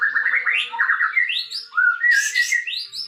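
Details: A sooty-headed bulbul in strong song while spreading its tail. It delivers a dense, rapid string of chattering and upslurred whistled notes, with a brief hissing burst near the end.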